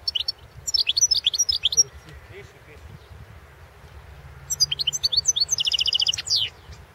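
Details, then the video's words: Goldfinch song from a 2016 world championship competition recording: a twittering phrase of high chirps, a pause, then a longer burst ending in a dense buzzy trill and a descending note, with faint low background noise. "World championship in Goldfinch Song 2016"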